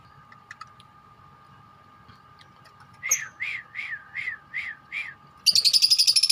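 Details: Four caged lovebirds of different colours chatter together: after a quiet stretch over a steady hum, six arched squeaky notes repeat about three times a second, ending in a harsh buzzy rattle.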